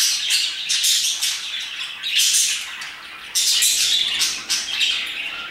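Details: Around 2pm, a flock of parakeets keeps up dense, scratchy high-pitched chirping, overlapping calls swelling and fading in waves with hardly a pause.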